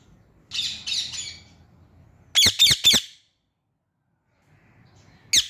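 A rose-ringed parakeet gives harsh, high squawking chirps: a raspy burst of three, then a quick run of three sharp notes, and one more after a pause.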